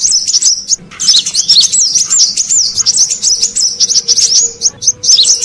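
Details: Brown-throated sunbird lure sound for catching wild birds, a continuous stream of high, thin twitters and darting whistled notes after a brief opening phrase, with a faint low tone behind.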